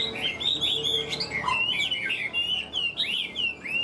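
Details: A caged Hwamei, praised as an excellent singer and fighter, pours out rich, fluty whistles. Swooping, looping notes rise and fall in a continuous warble with brief pauses.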